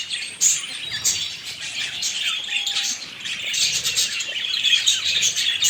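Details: Budgerigars kept as pets, recorded close up: busy overlapping chirps, twitters and short squawks form a steady high chatter that swells toward the end.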